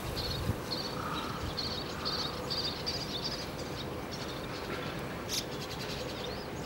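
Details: Little tern in courtship feeding, filmed 10 June 2010: after his fish gift is accepted, the male gives a quick series of thin, high, clipped calls, several per second, for about three seconds, over steady wind or surf noise.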